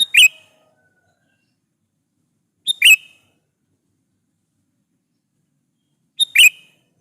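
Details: Sooty-headed bulbul lure song meant to draw answers from rival bulbuls; three brief, punchy chirp phrases spaced about three seconds apart, each a fast double note with a short slurred tail, silence between.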